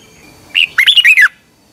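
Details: Thai red-whiskered bulbul song used to train caged birds each morning: a single short note, then a lively warbled phrase of about five quick slurred, bubbling notes falling at the end.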